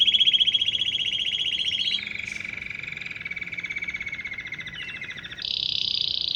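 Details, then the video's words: Canary song, said to lure dozens of canaries, goldfinches and various wild birds. Buzzy, very fast rattling trills switch abruptly between tours, first bright and high, then lower, then a loud high roll near the end. "شاهد تغريد كناري رائع جذب عشرات طيور ألكناري وألحسون وأنواع بريه مختلفه"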